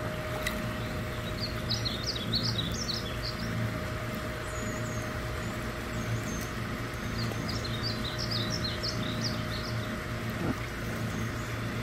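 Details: Male painted bunting singing in northwest Fort Worth, Texas: two quick bursts of high, sweet warbled notes, each lasting about two seconds, separated by a pause, over a constant low rumble of traffic.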